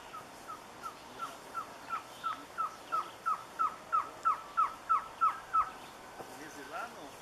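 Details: Surucua trogon song: a steady series of about fourteen short hooted notes, roughly three per second, swelling in loudness toward the middle and then fading, over a quiet background.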